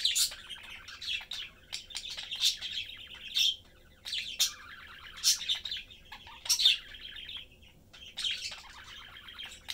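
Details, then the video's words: Three pet budgies, a family of parents and youngster, chatting while eating. Bouts of rapid scratchy warbling a second or two long, separated by short pauses, with bright chirps standing out. "Sunday cute Budgie/Parakeet family lives, chatting, having fun and eating."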